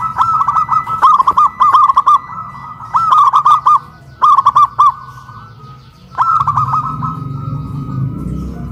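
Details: Loud song of caged local zebra doves on a raised pole in Kuningan, West Java, Indonesia: dense, overlapping phrases of rolling coos, then a pause and a final phrase with low background noise.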